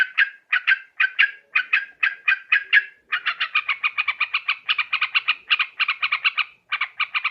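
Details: Sooty-headed bulbul calls used to attract birds for trapping. Evenly spaced harsh notes come first, then a quicker, denser chattering series with short breaks.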